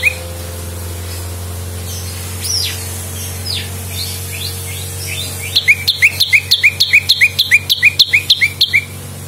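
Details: Lumut prinia recorded as a master and lure sound: faint scattered twittering at first, then a loud fast series of sharp paired notes, high chip and lower slurred whistle, repeated rapidly over a low hum.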